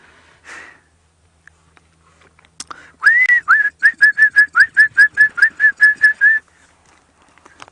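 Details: Lizard Buzzard perched atop a tree during a morning safari drive, 5 August 2016, gives about fifteen clear whistled notes: a longer rising one, then quick even repeats around three per second, after a few faint knocks. Two were seen that drive.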